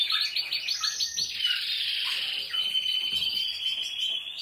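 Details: Canary, with Portuguese Harlequin, Spanish, Malinois and Timbrado Español birds featured, singing steadily: rapid pulsed trills at first, then a long, high, ringing rolled trill that holds without a break.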